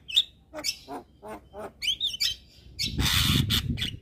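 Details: Javan myna singing energetically all day. A few whistled and grating notes are spaced apart, then a loud broad noisy rasp overlaps continuing calls in the final second.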